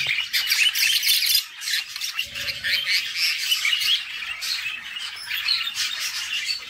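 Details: Budgie chicks beg for food from their mother in the nest box, a fast, grating chatter of rough high notes repeated several times a second, irregular in rhythm, with soft movement noise in the middle.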